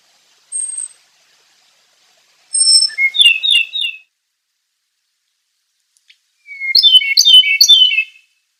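Okinawa nightingale singing: a thin high whistle, then two bright phrases that open on a clear note and tumble into quick, warbling trills. The background is quiet.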